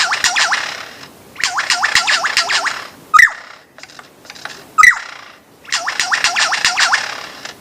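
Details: Lyrebird singing bursts of rapid looping whistled notes in fast trills, separated by two loud sharp clicks and a short gap, then the looping trill resumes.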